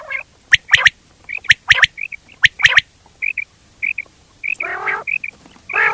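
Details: Quail sounds: crisp clicking doublets and triplets, with short whistled chips in between and a rough nasal note near the end.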